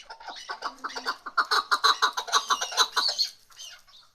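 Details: Female chukar partridge giving a fast rhythmic run of clucking notes, roughly two per second rising to quicker pulses, building in loudness then trailing off into softer, hoarse notes.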